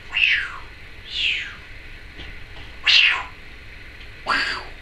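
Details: A pet female Timneh African grey parrot gives four loud, downward-sweeping squawks, roughly one every second, somewhat like a cat's meow, over a quiet background.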